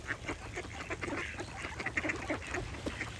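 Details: A duck gives rapid quacks, each a short harsh burst in quick uneven succession, with brief higher chirps mixed in.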